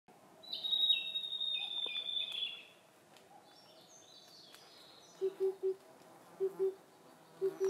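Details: Blue-and-white flycatcher singing wild in Khingan State Nature Reserve, Amur Oblast, Russian Far East: a long clear whistled phrase sliding slightly downward, then softer high notes, with paired low hoots of an Oriental cuckoo repeating behind.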